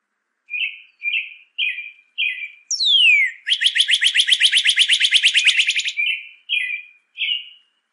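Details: Northern cardinal song for teaching birds to sing: four short whistles, one long down-swept slur, a fast rattling trill of about two seconds, then three more short whistles.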